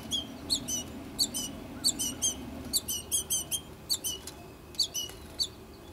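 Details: Two American goldfinch chicks in their nesting tree, fed by their mother; rapid bursts of high, sharp squeaky chirps, often in quick pairs and runs, filling most of six seconds.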